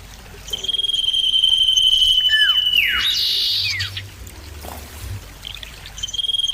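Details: Common iora, loud clear lure song: a drawn-out steady whistle for over two seconds, followed by steep downward swoops and a noisy burst, then a fresh whistle begins.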